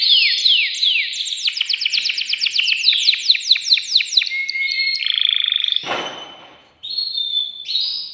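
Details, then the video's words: Excited male canary in its cage singing to stimulate a female for breeding: a series of descending sweeps accelerating into a fast, dense chattering trill, then pure sustained notes after a brief pause. "تغريد ذكر كناري هائج يريد تكسير القفص يحفز الأنثي لتزاوج"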